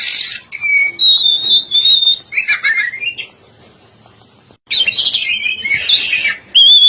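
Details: Black-breasted oriental magpie-robin from East Java singing loudly: sweet sustained whistles and descending slurs, a burst of harsh scratchy notes, a two-second silence, then more dense chattering phrases ending on a pure whistle.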